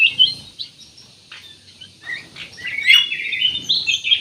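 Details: Black-naped oriole singing profusely, played as a lure to get other birds singing; quick chirps and slurred high notes, quieter at first, then a dense, rapid burst of bright twittering phrases toward the end.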